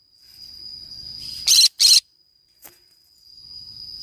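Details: Green-cheeked conure playing alone in a forest, giving two quick, loud, rasping screeches in close succession, then a faint click. A constant shrill insect tone runs throughout.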